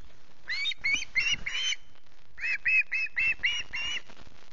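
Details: Young osprey at Loch Garten, hungry at early morning, 14 August, giving harsh screeches in two bursts over low rumbling and rustling background noise.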